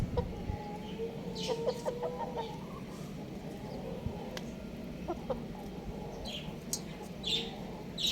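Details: Young domestic rooster chirping: a drawn-out, steady tonal note held for over a second, followed by a few short clucks and scattered faint clicks against a low background hum.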